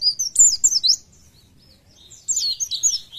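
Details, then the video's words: High-pitched twittering from a white-eye: two quick bursts of shrill, tumbling chirps and trills, separated by about a second of near silence. "PLECI JOSS ..BUKPAR KEREN..FIT NGICAU LOSS"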